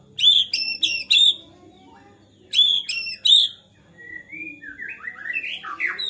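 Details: White-rumped shama in agitated song, said to provoke other shamas to sing: sharp high chip notes in quick groups, then a rising run of varied whistled phrases building louder toward the end.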